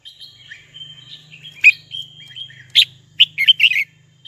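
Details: Singing to call a rival, a red-whiskered bulbul gives a long, thin, wavering whistle with soft twitters, then a lively run of loud, clipped chirps. A faint low hum runs underneath.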